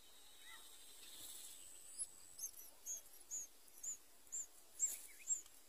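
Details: One of three Sooty-headed bulbul chicks, fed insects by the parent before one went limp and died, gives thin, very high begging notes, about two per second and steady, after a few lower chirps at the start.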